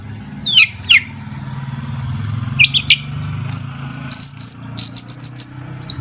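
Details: Long-tailed shrike song meant to coax shrikes into singing: two downslurred chips, scattered squeaks, then a run of thin high whistled notes repeated rapidly, over a faint low drone.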